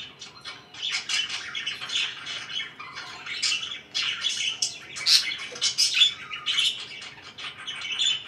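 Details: Several pet budgerigars warble and chirp over soft background rumble. Raspy twitters come in waves, with a few thin whistled squeaks mixed in.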